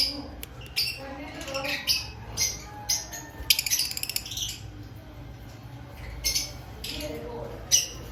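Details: Caged lovebirds in an aviary active before breeding season, sharp high squawks and chirps scattered every half second or so, a quick rattling run near the middle, faint low room noise.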